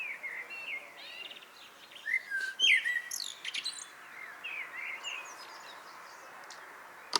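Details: Common blackbird singing in the evening, described as a goodnight song; bright warbled and whistled phrases around the middle-high range, mixed with quick high twittering notes from several overlapping birds over steady outdoor background noise.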